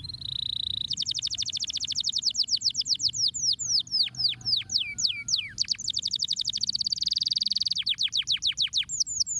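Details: Canary giving a stimulating song: a steady high whistled tone, then long rapid trills of clipped notes, slower sweeping downslurred whistles in the middle, and fast rolling trills again.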